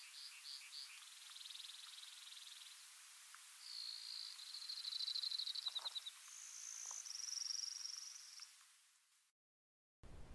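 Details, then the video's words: Brewer's Sparrows singing their exuberant phrases around sunrise in big sagebrush shrubland near Silver City, Montana, July 2022: long, high, buzzy trills shifting from pitch to pitch, with a few soft lower notes underneath. "Brewer sparrows are singing their exuberant phrases"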